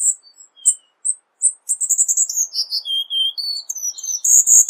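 Cuban bullfinch song: a few thin, very high chirps, then a quick tumbling run of sharp, descending whistled notes and trills. No other sounds.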